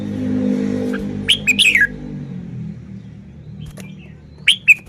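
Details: Red-whiskered bulbul kept in Thailand, showing its song style: a rapid run of four bright slurred whistles, a long pause, then two more short whistles over low background hum.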